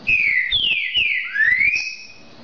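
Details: Song of a green-winged saltator used to stimulate a caged bird to sing: a loud whistled phrase of falling slurred notes ending in a long, smoothly rising whistle, with faint background noise.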